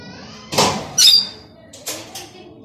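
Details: A pet plum-headed parakeet (Psittacula cyanocephala) indoors gives four short, shrill, screechy notes in uneven bursts over about two seconds, while a person nearby speaks to it in Hindi, calling it over.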